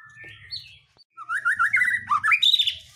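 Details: White-rumped shama lure song meant to stir other birds to sing: a soft warbled opening, a brief pause, then a fast run of rich chattering and whistled notes rising to a bright high ending, over faint low background hum.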